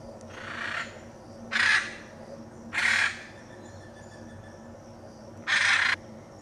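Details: Hyacinth macaw in the Pantanal of Brazil uttering four coarse, screeching calls, three in fairly quick succession and a fourth after a two-second pause.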